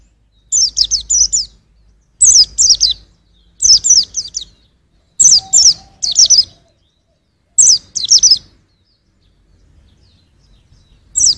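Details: White-eye (pleci) chirping for songbird training: six phrases of rapid high-pitched falling notes, roughly every one and a half seconds, then a longer quiet stretch before a final phrase begins.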